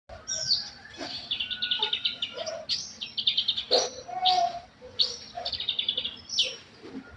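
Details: Long-tailed shrike song in a caged setting, a busy run of scratchy, buzzy phrases and sharp chips with rapid rattled notes, clear bursts repeated throughout, faint low hum behind.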